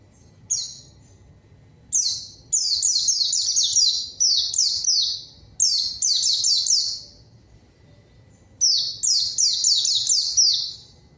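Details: Singing white-eye, played as a lure to draw a rival and spur silent birds into song; four bursts of fast, shrill, falling twittered notes separated by pauses of one to two seconds.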